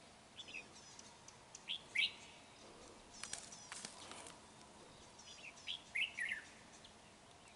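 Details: Red-whiskered bulbul recorded while trapping on 31 January 2019. Brief whistled chirps are interrupted by a burst of clattering knocks midway, then a final group of bright warbled phrases.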